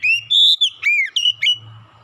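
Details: Oriental magpie-robin song used as a lure to make other birds sing: loud, clear whistled phrases rising and falling, several slurred notes in quick succession, over a steady low hum.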